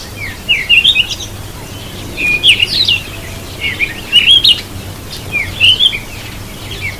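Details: A Cape robin-chat, bathing, gives short, sweet warbled phrases of high, twisting notes in bursts about every second or two, over a faint low hum.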